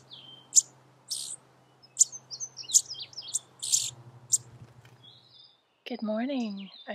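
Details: Indigo buntings at a nest in a Vermont woodland front yard, with young being fed, three still in the nest and one fledged: sharp, high chips and short buzzy notes at an uneven pace, with the adult male chipping too, a low hum and a person speaking at the end.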